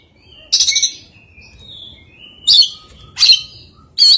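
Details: Oriental magpie-robin with an odd song and very rare fill-in phrases: loud rattling harsh bursts about once a second, joined by soft faint whistles in between.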